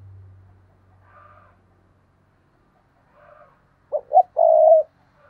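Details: Decoy spotted dove calling, 2022 recording: after quiet with faint soft sounds, one phrase of two short coos followed by a longer sustained coo near the end.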